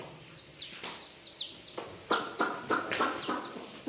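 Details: Dyed baby chickens in a village setting peeping: short, high, downward-sliding notes, with several sharp taps and thuds in between.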